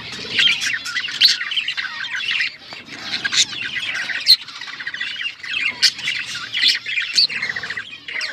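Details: Male budgerigar mating song, a rambling warble of squawks, clicks and chirps coming in bursts with brief lulls, a few clear whistled notes standing out.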